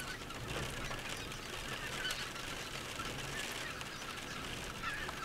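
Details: Mixed live flock of red-breasted and greater white-fronted geese at Zavideni, Braila, Romania: a dense, continuous babble of overlapping calls, with a few higher squeaky notes standing out from the wash.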